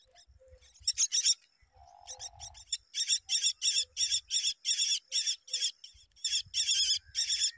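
A myna gives a rapid run of harsh, rasping squawks, about three a second, mixed with thin squeaky whistles; a faint low rumble sits underneath.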